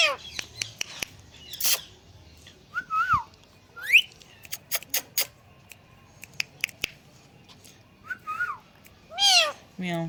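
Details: Pet Indian green ringneck parrot talking on a plant: scattered clicks and taps, short rising whistles and harmonic squawked syllables spread through, ending with a loud arching squawk and lower voiced note.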